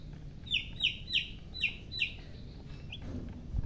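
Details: Baby chicken chicks chirping: five loud, high, downward-sliding peeps come about every third of a second, then a fainter single peep follows after a pause, all over a low steady background hum.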